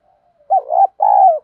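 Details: One spotted dove phrase in the 'thổ đồng' voice, used to stimulate newly caught birds to coo: a short swelling note, brief gap, then a drawn-out soft coo that falls slightly at the end.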